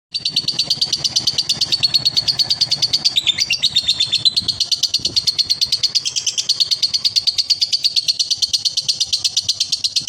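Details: Male lovebird in the long ngekek style prized in song contests. A high, buzzy, rattling trill of rapid pulses runs unbroken for about ten seconds, about three pulses a second, with a slight waver in pitch.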